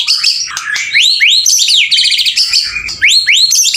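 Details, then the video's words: Male white-rumped shama singing vigorously: a fast, loud run of rising whistled sweeps, buzzy trills and high chirps packed closely together, with brief rattling notes near the middle. "MB PJR gacorree polll"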